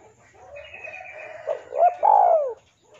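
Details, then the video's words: Spotted dove singing, used to tutor captive birds: soft lower cooing builds into two short rising notes and a long, loud, downslurred coo, over a faint thin whistle from another bird. "SUARA BURUNG TEKUKUR DERKUKU GACOR MANGGUNG UNTUK MASTERAN DAN PANCINGAN!"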